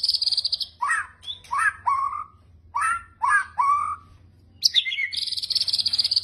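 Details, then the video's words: Kretekan song of a white-rumped shama for training birds: paired groups of swooping downslurred whistles with short pauses between them, opening and closing with a high buzzy rattle. "masteran murai batu kretekan pancing emosi"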